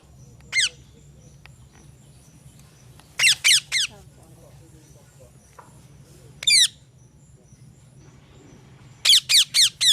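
A parrot gives sharp, descending squawking chirps, single or in quick bursts of three or four, over a steady low hum.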